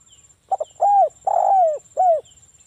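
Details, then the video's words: Ngalas-style song of a local spotted dove, used to make other doves reply: a pair of short notes, an arched coo, a long slightly rough coo, then a final shorter coo, mellow and soft. "SUARA BURUNG TEKUKUR ini PANCINGAN TEKUKUR suara Ngalas"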